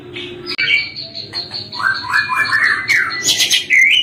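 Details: Caged white-rumped shama singing energetically as a tutor song for other birds: varied whistled phrases, a long high steady note, then rising and falling slurred notes and harsh bursts, over faint low background hum.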